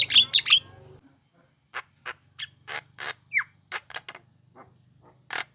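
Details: A young Javan myna used to lure responses from other mynas gives loud harsh chatter, then scattered rasping notes and one falling whistled slur, with a low electrical hum throughout.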